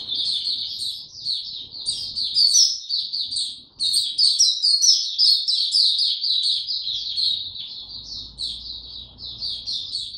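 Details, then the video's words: A caged white-eye's lively song, 29 April 2022, with no supplements given: dense, high-pitched twittering with thin chirps layered above, barely broken, and faint low noise beneath. "Mata Puteh Hercules buka sing"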